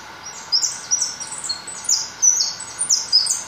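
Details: Continuous high-pitched twittering song from a white goldfinch, bright chirps and short slurred notes tumbling one after another about every few tenths of a second, with faint steady hiss beneath.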